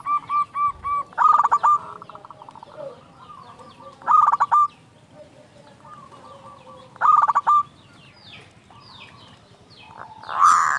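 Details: Local zebra dove singing loudly to provoke other doves: brisk phrases of clipped cooing notes roughly every three seconds, between softer trailing coos, ending with a sudden harsher, louder sound.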